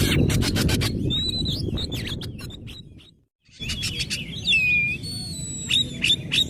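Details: Oriental magpie-robin lure song to draw responses: chattering clicks and twisted whistles over steady rustling noise, a brief silence, then ringing drawn-out whistles and a bright downward-curling note.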